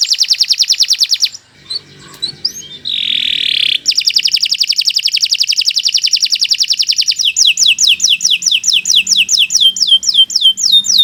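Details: Canary singing long, continuous tutor song used to train other birds: fast high rattling trills, a brief buzzy note, a long steady trill, then a run of rapid downward-swooping whistles.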